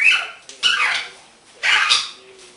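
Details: A pet male green-winged macaw, described as a happy bird, chatters and laughs with three loud, harsh, raspy bursts about a second apart, broad and grating with a nasal edge.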